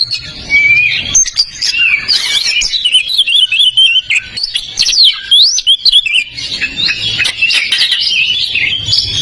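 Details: White-rumped shama training song meant to make silent birds sing: a loud, continuous, rapid run of varied high whistles, chirps and sharp trills with quick pitch sweeps, briefly pausing near the middle.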